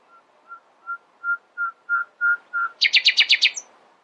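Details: Nightingale singing at dawn: low whistled notes repeated steadily and growing louder, followed by a rapid burst of loud rattling notes and a single high note.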